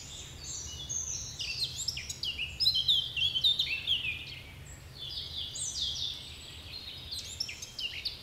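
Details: Chorus of songbirds in the woods of Bois de Géline, Torgny. Overlapping bright, high twittering and slurred whistles sound in rapid succession, loudest midway, against constant low rumbling noise.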